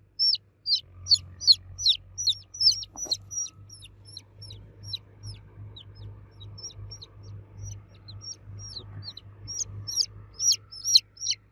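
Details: Baby chicks cheeping loudly for the mother hen: quick bursts of high, sharply falling chirps, several at a time, with a quieter stretch mid-way, over a steady low hum.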